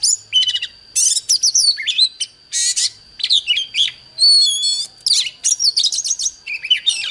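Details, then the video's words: Oriental magpie-robin dueling with a wild bird, pouring out dense, varied phrases of sharp whistles, trills and harsh buzzy notes in quick succession, with a constant faint high tone behind. "Chòe than Đấu với chim THIÊN NHIÊN 100% ĐẠT LỬA"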